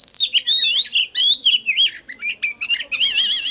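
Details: Oriental magpie-robin song used to trigger singing and lure wild birds: loud, rich whistled phrases sliding up and down, quick varied notes, ending in a rapid warbling trill.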